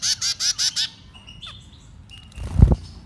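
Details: Baby birds being fed: five loud, high, evenly spaced chirps in quick succession, then soft faint notes and a dull thump.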